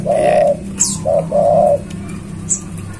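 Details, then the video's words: Tame spotted dove singing freely outside its cage: a soft, low cooing phrase of three notes, one longer coo followed by a short and a drawn-out coo, over steady low hum, with brief high chirps from another bird. "burung tekukur gacor di luar sangkar"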